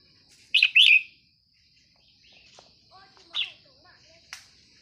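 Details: Red-whiskered Bulbul calling on a morning trapping session with a decoy bird: two loud, bright warbled notes close together, then softer, scattered chirps, all over a steady high-pitched drone.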